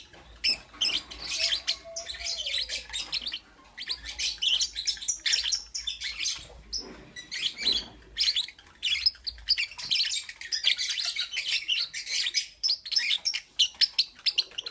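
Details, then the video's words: Lovebirds chirping in the morning: dense, continuous high-pitched chirps and squeaky twitters in rapid overlapping bursts, with only brief pauses throughout. "Lovebirds Chirping Sounds"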